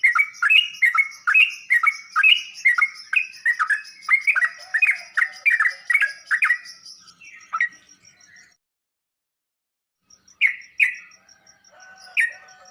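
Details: Sooty-headed bulbul song played so other bulbuls answer and start singing: a rapid run of bright, bubbly notes repeated about twice a second for seven seconds, trailing off, a silent gap, then a few more chirps.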